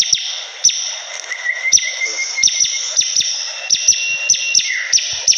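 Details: Lively song of a Bar-winged prinia: sharp downward-sweeping high notes spaced irregularly, a thin level whistle in the middle, and a short falling slur near the end, over steady high hiss.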